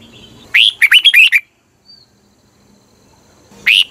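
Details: Red-whiskered bulbul from Thailand, sung for use as a decoy or for playing to excite caged birds: a rapid phrase of five clear, bouncy whistled notes lasting about one second, then silence before another phrase begins.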